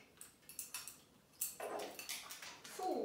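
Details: A pet grey parrot speaks a short Hungarian phrase, "kimegyek a teraszra" ("I'm going out to the terrace"), in a human-like voice, ending on a brief whistled note, after a run of sharp light taps or clicks indoors.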